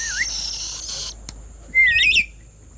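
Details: Black-capped lory giving one brief, rising, twisting screech after a stretch of steady hiss and a single sharp click.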